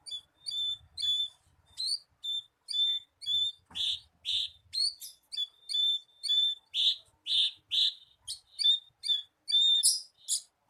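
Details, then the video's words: Javan bushlark song used as a lure to get a captive bird singing: a fast run of short, bright whistled notes, about two per second, with buzzier, fuller notes mixed in, plus faint low rustles early on. "SUARA PANCINGAN BURUNG BRANJANGAN AGAR CEPAT GACOR"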